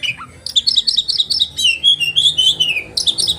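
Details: Sharp 'roll' and 'tembakan' singing from a caged oriental magpie-robin, used to stir other magpie-robins into revealing their material: fast chattering notes running into a long, sweet whistled phrase that slides downward, then renewed rapid notes.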